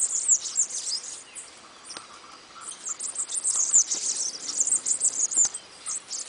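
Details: High, buzzy bananaquit song in fast, jumbled phrases of squeaky notes, separated by a short pause before a longer, dense outburst.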